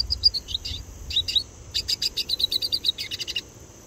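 Red siskin giving high, thin twittering notes, first a few scattered chirps, then a quick run of bright, repeated tweets.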